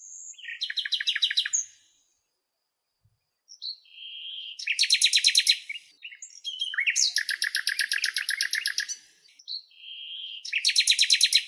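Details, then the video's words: Song of a nightingale among lilacs in its natural Greek habitat: a short whistle leads into loud, fast rattling trills repeated in long bursts, separated by brief pauses and upslurred whistled notes. "Αηδόνια Κελάηδημα"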